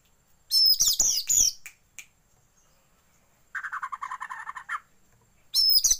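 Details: Lure song of an Oriental magpie-robin, played to train birds to open their tails: a burst of shrill, rapid whistled notes, then a harsh buzzy rasping run of about a second, then the whistling resumes.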